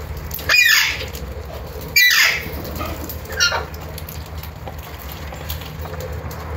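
Alexandrine parakeet giving loud, harsh, descending screeches, three in about three seconds, over a low background hum.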